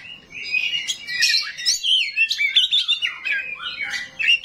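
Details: Oriental magpie-robin of the small 'rawit' type pouring out a rough, harsh song meant to make other magpie-robins answer: rich, tumbling run of loud whistles, slurred notes and scratchy chatter, nearly continuous.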